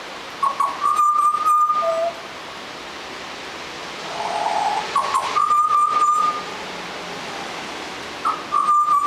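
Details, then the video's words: Young Australian butcherbird learning to sing: soft, wavering whistled phrases held steady at a low pitch, broken by short pauses and followed by a brief lower note, with some clicking and rustling and a steady background hiss. "Australian Baby butcher bird learning to sing"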